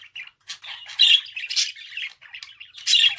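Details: Budgie song made of continuous chattering: grating buzzy syllables and thin squeaks tumble together, swelling into louder harsh bursts and easing into quieter twitters without real silence.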